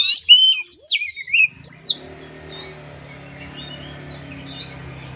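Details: Oriental magpie-robin, a kept trotolan (young) bird, used for training a young bird's nerve; a burst of varied whistled and slurred notes over the first two seconds, then fainter scattered phrases over a low steady hum.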